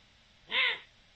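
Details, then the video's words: A single rasping, arched note from a Eurasian eagle-owl, 7 October 2020, harsher and more smeared than a clean tone, over faint steady background noise. "El canto del búho"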